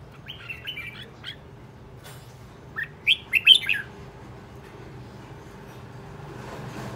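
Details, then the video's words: Red-whiskered bulbul used as a decoy, behaving aggressively: a few soft whistles, then a loud phrase of four sharp, rising warbled notes, followed by quiet background. "Chào mào mồi hót cực hay, hung hăng quay cuồng"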